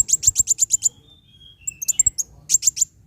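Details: Van Hasselt's sunbird song, used to stimulate caged birds to sing: a fast run of seven sharp high chips, a brief pause with thin faint whistles, then more clipped high notes and a closing triplet.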